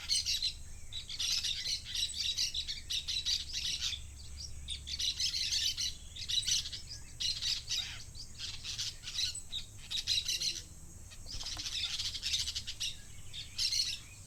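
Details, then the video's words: Flock of parakeets calling: a constant overlapping chatter of high, sharp squeaks and chirps in bursts, over a low background rumble. "SONIDO DE BANDADA DE PERICOS"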